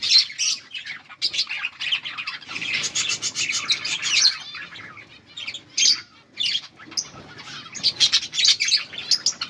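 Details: Colourful pet budgerigars chirping together: a dense, busy chatter of high, scratchy chirps and warbles, in bursts with brief quieter gaps between them.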